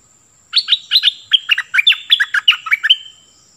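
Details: Cream-vented bulbul decoy bird in strong song: a fast, bubbly phrase of roughly fifteen clipped notes alternating high and low, ending in a short trailing whistle, clear over a faint steady high tone.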